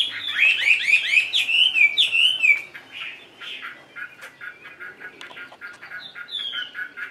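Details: Caged Chinese hwamei, a tame bird, singing indoors: a loud burst of rapid rising whistled notes for about two seconds, then softer, scratchy repeated chatter.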